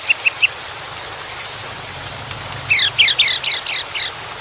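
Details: White-rumped shama singing with water in the background: a few quick high chirps, a long pause with steady hiss, then a burst of loud, sharp, rising and falling whistled notes.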